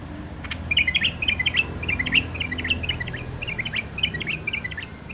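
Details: Caged wild-caught songbird from near Mandali, Iraq, sings a fast run of short warbled phrases, each a quick cluster of high twittering notes repeated about four times a second, steady and clear against faint low background hum.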